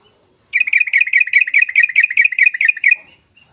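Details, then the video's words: Sooty-headed bulbul giving an energetic lure song meant to spur silent bulbuls into singing: one rapid, steady chattering trill of about twenty bright notes, lasting two and a half seconds, in a quiet setting. "Kicau trucukan gacor Emosi Dorr pancingan trucuk malas bunyi"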